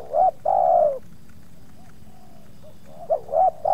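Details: Spotted dove in a yard with two approaching wild doves, one of them resisting; a loud long falling coo, a pause holding soft distant coos, then a fresh phrase of quick hooked notes.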